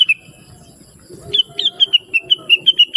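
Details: Melodious blue-winged leafbird, a teaching song for other songbirds: one opening chirp, then a regular string of about ten bright, high notes, each slightly rising and falling, evenly spaced.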